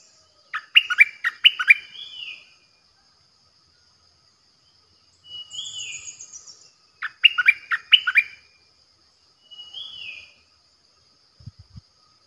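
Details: Decoy bulbul, 8 May 2021, alternating lively chattering bursts of quick falling notes with smooth slurred whistles, the pattern repeating twice over twelve seconds, with a faint high trill and a few low knocks near the end.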